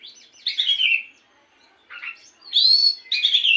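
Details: Oriental magpie-robin (kacer) singing in the morning, played as a lure to get another kacer singing; three loud whistled and warbled phrases, sliding and buzzy, separated by short pauses.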